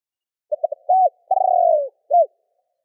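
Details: One full phrase from a spotted dove calling to stir up other doves: three quick clipped notes, a rounded coo, a drawn-out vibrating coo sliding downward, and a final short hooped coo.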